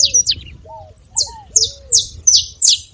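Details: Spaced, emphatic chirps from a saffron finch, each sharp and falling, separated by short pauses, with a few low curving whistles between them.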